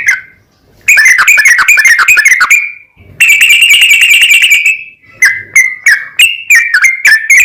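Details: Yellow-vented bulbul singing a long rapid song used to excite other bulbuls into song: a dense bubbling trill, a short gap, a second sustained rattling run, then separate chirpy whistled notes.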